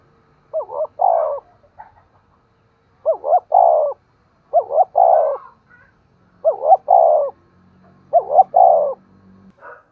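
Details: Spotted dove repeating its coo to stimulate other doves: five matching phrases about every two seconds, each two short hoots and a longer falling note, low and mellow, over faint distant hum.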